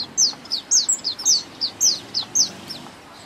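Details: Spring song of a thrush nightingale: loud, high, sharply falling notes repeated at an even pace of about two per second, clear against quiet surroundings.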